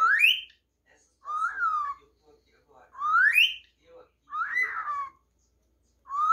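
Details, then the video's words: A pet cockatiel that sings and talks whistles clear, tuneful phrases, alternating a quick upslurred whistle with a rising-then-falling arched note, roughly every one to two seconds. "COCKATAIL SINGING"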